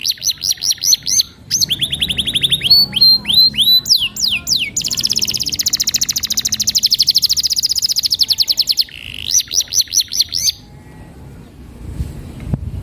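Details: Canary song with varied phrases: quick high chirps, sweeping whistles, then a long rapid trill of even clicking notes before a few final chirps and a short quiet end.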